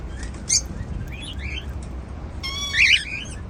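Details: Happy cockatiels feeding on seeds give a few short upward-sweeping chirps, then a bright, harmonic squeaky whistle near the end, over a low background hum.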